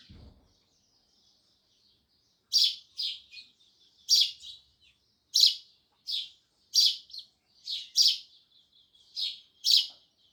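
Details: Sparrows chirp loudly, giving a steady run of harsh, bright notes about every half second to second over faint continuous twittering, after a brief low thump at the start.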